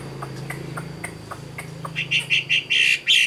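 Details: Chinese hwamei, a caged wild-caught adult of the 'Tam Hoàng' type from Vietnam. Faint scattered ticks give way to a loud burst of short, repeated whistled notes, about six in quick succession. A low steady hum sits underneath.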